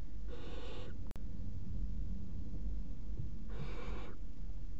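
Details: Three barn owl chicks in a nest box, at 01:30 on 30 June 2016, eating a mouse at once, give two drawn-out, breathy hisses about three seconds apart over a steady low rumble.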